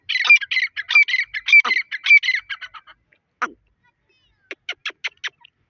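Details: Partridge calling loudly with fast, grating, rhythmic notes in a long run, a short gap, then a quicker series of sharp clipped notes.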